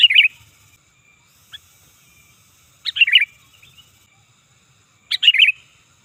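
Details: Sooty-headed bulbul call used as a bird lure: three loud bubbly slurred phrases about two and a half seconds apart, with a single soft short note between the first two.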